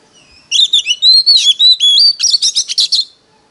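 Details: Competitive song from a decoy Oriental magpie-robin: a varied run of rich whistles, some long and level, some swooping, ending in a fast jumble of scratchy, chattering notes.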